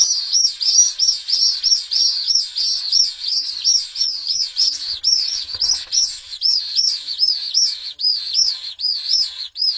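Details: Pallid swifts fighting over a nest in Jerez: a loud, shrill, buzzy screaming of rapid arched notes, about two or three per second, pouring out without a break for ten seconds, with faint clicks beneath.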